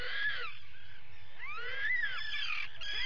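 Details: Atlantic puffins during an attack at a burrow, July 2019: drawn-out groaning wails sweeping up then down, some with a throaty lower tone, over a constant low hum.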